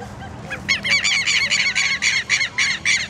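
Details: Southern lapwing at a botanical garden, giving a rapid series of strident, scratchy repeated notes, about four per second, loud and shrill, over steady low background hum.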